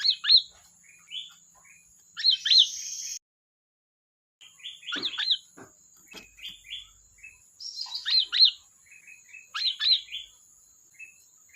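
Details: Busy sooty-headed bulbul chatter: quick runs of bright, rising and falling whistled notes, several phrases tumbling together, a brief silent gap midway, steady faint high background tone.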